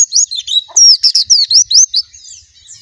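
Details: Sweet, high warbling of a white-eye, with bright slurred whistles swooping up and down in quick succession over under three seconds.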